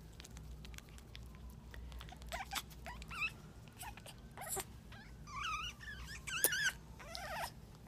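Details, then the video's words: Female African grey parrot in a mating display, having laid an egg that day, 11/12/13; soft clicks build into loud wavering whistled phrases and squeaks near the end, with a persistent low hum. "African Grey Bookee in heat"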